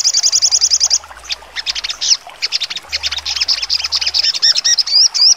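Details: Sogon songbird with a sharp trotol song, used for training contest birds: a short fast trill, then a long spell of varied staccato chirps and looping whistled slurs ending in rising tweets.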